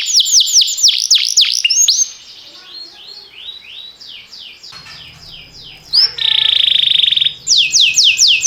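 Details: Canary singing in a training recording: fast descending swooping notes, a quieter passage with soft notes and low hum, then a bright steady trill and renewed swoops.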